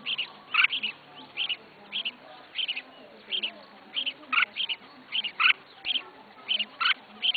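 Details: Red-whiskered bulbul kept in a cage as a first pet bird, delivering a steady run of paired high chirps roughly every half second, several notes louder and sharper, with a soft background hum.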